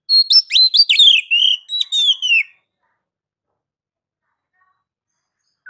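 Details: Oriental magpie-robin singing ngeplong, a master song meant to spur other birds into singing: a two-and-a-half-second string of varied whistles and quick slurred notes, then quiet.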